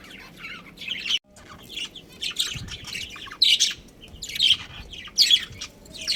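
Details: Colony of pet budgerigars, a breeding pair among them, chirping: irregular high chirps and squawky twitters roughly once a second, a few louder sharp notes standing out, over a low background murmur.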